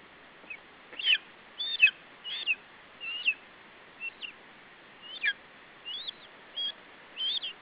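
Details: Lesser spotted eagle chick protecting its food from a parent at a nest in Estonia, 21 July 2012, late afternoon. It gives a loose run of high, thin, squealing yelps, irregularly spaced and softer toward the end.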